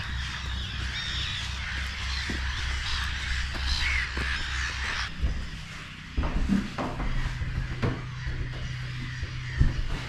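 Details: Black-headed gulls, with some terns and shelduck, at the lagoon seen from the Avocet Hide on Brownsea Island, England, on an April 2025 evening as it grows dark: a dense, continuous, extremely noisy din of harsh overlapping colony calls, with a low wind rumble, speech and music.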